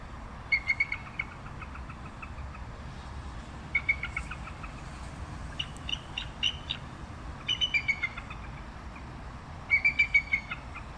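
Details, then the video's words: Bald eagle uttering repeated bursts of quick, high, staccato piping notes, each series of four to six notes separated by pauses of a few seconds, with quieter scattered calls in between and steady background noise. "Canto del Águila Calva"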